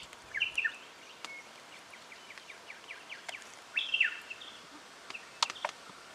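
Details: Call of a striated pardalote, Victoria, Australia, October 2011: quick runs of short downslurred whistled notes repeated in a steady series, a louder slurred note cluster later, and several sharp clicks near the end.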